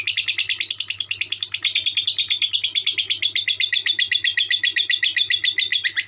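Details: Lovebird giving a 'konslet' style song: an unbroken, rapid, high-pitched chatter of sharp, buzzy notes, several each second, steady throughout, above a faint low electrical hum.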